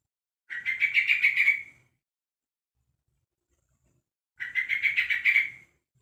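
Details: Calling young trucuk, one month old, summoning others of its kind: two bursts of rapid chirping notes, each about a second and a half long, separated by roughly three seconds of silence.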